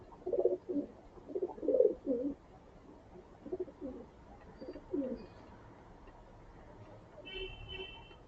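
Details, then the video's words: Pigeons cooing while being fed grain early in the morning, a run of low pulsed notes in the first half, then quieter, with a brief thin high tone near the end. "अलग-अलग प्रकार की ध्वनि सुनने को मिल रही है। कभी धीमी गुटुगू तो कभी सावधानी की आवाज तो कभी मातृत्व की आवाज"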